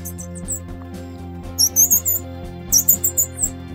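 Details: Being fed, grey-cheeked fulvetta chicks utter a few scattered thin chirps, then two rapid bursts of shrill, high squeaks, five or six notes each, with background music playing throughout.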